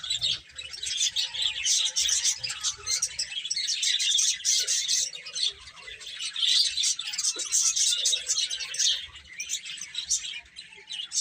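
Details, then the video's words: Numerous chicks chirping as they eat and play: piercing, repeated high peeps merging into a dense twitter, loudest in the middle stretch. "Baby Chicken Chirping Sounds"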